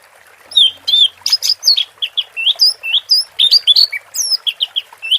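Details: Orange-headed thrush, 'teler' song, with water therapy: a lively unbroken string of short swooping whistled notes, about four per second, bright and clear over a low even hiss.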